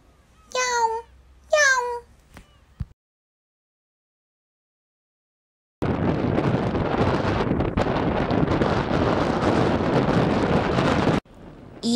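Two drawn-out, cat-like mewing cries from a Black-tailed Gull, each rising then falling. After a pause comes a long stretch of rushing wind.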